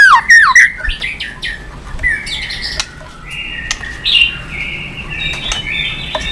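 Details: White-rumped shama singing a full, lively song meant to provoke other birds to sing: whistled notes, sliding phrases and harsh squawks, with a sharp clicking note near the start.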